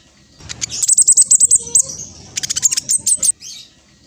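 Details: Olive-backed sunbird, a fast-paced singer used to make other birds answer, delivering an even string of about eight high sharp notes, then a quicker burst of ticks fading out.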